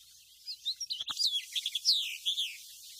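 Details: House Finch, an introduced species dependent on suburban human-modified environments, sings a quick, jumbled warble of high, sweet notes and slurred twitters running for about three seconds, with a faint click partway through.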